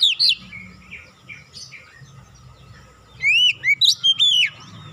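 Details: Oriental magpie-robin singing a lure song that imitates great tit: a loud whistled note opens, quiet twittering follows, then a rapid burst of four loud, rising and falling whistles near the end.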